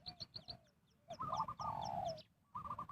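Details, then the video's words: Spotted dove used in trapping to call in wild birds, giving a burst of hoarse coos that ends in a long, level, drawn-out note. High chirping is heard at the start, with a brief quiet gap before more cooing. "Cara Pikat Tekukur memanggil Burung Liar"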